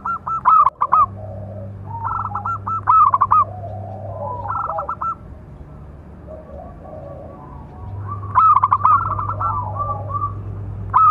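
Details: Local zebra dove prized for a big voice, repeating a calling song used as a master and lure for other doves: several phrases of clipped, bubbling coo notes, interspersed with softer warbled coos over a constant low hum.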